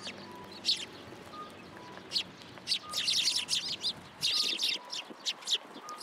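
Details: Sparrows coming for food at a shrine pillar, Tenman-gu, 27 January 2023; scattered chirps give way to thick clusters of excited high chirping, over a low background hum and faint tones.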